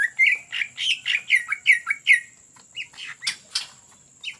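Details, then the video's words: Greater green leafbird in lively ngetrok song meant as a lure: about eight rapid whistled notes, each dipping and climbing, followed by sparser whistles and sharp clicks. "CUCAK IJO GACOR Ngetrok Cocok Untuk Pancingan"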